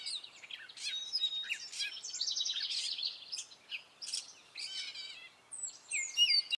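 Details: A male gray catbird sings in spring, stringing together brief squeaks, chattering bursts and thin rising whistles with short pauses between phrases, the notes varied and sometimes repeated.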